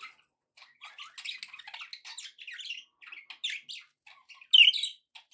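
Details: Happy budgies chatter in a steady stream of high, twittering and gritty warbled notes, rising to a louder sharp squeak near the end.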